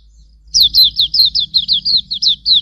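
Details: Hume's white-eye (auriventer) song for training other birds: one continuous two-second string of quick, thin, downward-slurred chirps, evenly spaced, with light low noise underneath.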